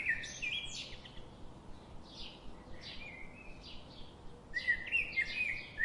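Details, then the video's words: Repeated high chirps and slurred tweets from birds, coming in loose bursts with a louder cluster near the close, steady hiss underneath. "Birds sound"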